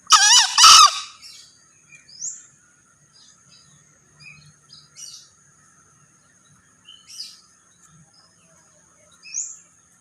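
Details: Male green junglefowl giving a single harsh crow at the start, a two-part rasping burst. Scattered high, thin chirps and whistles from other birds follow over several seconds of quiet.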